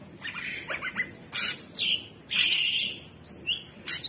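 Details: Cucak cungkok, the Orange-bellied Leafbird, in energetic gacor song: a cluster of short chirps, then sustained whistled notes, a rising slur, and crisp high bursts separated by brief gaps.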